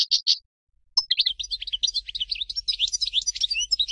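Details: A Major European goldfinch gives a few clear chirps, pauses, then pours out a continuous jumble of high twittering, liquid and buzzy notes over a faint low hum.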